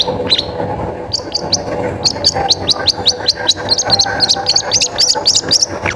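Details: Long-tailed shrike song used as a lure to prompt other shrikes to sing: a fast series of sharp, high chipping notes, repeated several times a second and growing denser toward the end, over a busy noisy background.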